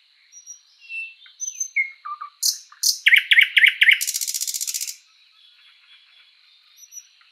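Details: Spring forest song of a thrush nightingale: soft whistled opening notes, sharp clicks, three or four emphatic repeated chock notes, then a long rapid mechanical rattle lasting about a second before faint distant whistles.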